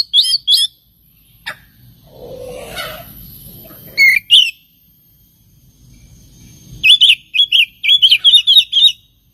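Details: Oriental magpie-robin song meant to lure and provoke other birds: a few sharp notes, a low rough muffled stretch, two loud whistles, then a rapid series of about eight sharp chirping notes.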